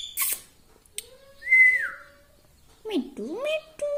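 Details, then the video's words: Pet talking parrot indoors giving a short sliding whistle, then a pair of dipping, voice-like notes and a steady held tone, with brief clicks between them. "Talking parrot || mitthu mitthu || tota || Bolne wala tota"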